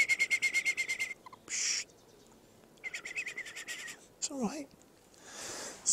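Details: A captive barn owl in heavy snow and freezing cold gives quick runs of high, harmonic chirping notes broken by rasping hissed screeches, with a man's voice talking briefly between calls.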